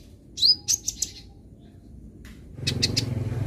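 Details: Sunbird chirping to train a young bird to sing: a few sharp high down-slurred notes and quick ticks early on, then a burst of louder rasping noise with a low rumble taking over.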